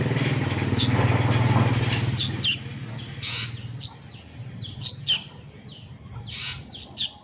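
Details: Squeaky high notes from a juvenile plaintive cuckoo, often doubled in quick pairs, repeated irregularly over seven seconds; a low droning hum fades out early and soft rushing noises come between calls.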